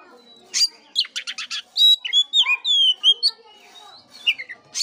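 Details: Song of an Oriental magpie-robin, used to spur a dull bird into singing: a quick run of harsh rasping notes, then long pure whistles sliding up and down, ending in scattered chirps.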